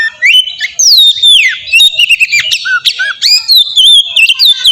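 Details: Oriental magpie-robin song used as a lure to make a bird answer: loud, varied whistled phrases sweeping up and down, with slurred notes and sharp chattering bursts in quick succession.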